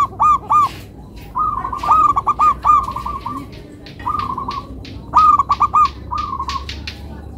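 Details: Local zebra dove singing close by with a melodious rhythm: loud, bubbling, trilled coo phrases, each a quick string of ringing notes, repeated several times with short pauses between. A faint hum sits underneath.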